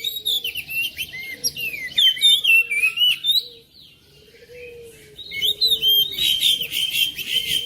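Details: Oriental magpie-robin singing, played to stir a silent kacer: tumbling whistles and twitters, a brief lull around the middle with soft low notes, then a dense, scratchy burst of high song.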